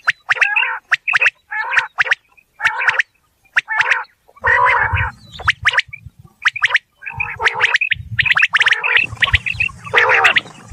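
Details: A quail's rising call, recorded in a real environment: short, harsh, rattling notes in quick bursts about every half second, with low rumbling background noise during the later calls.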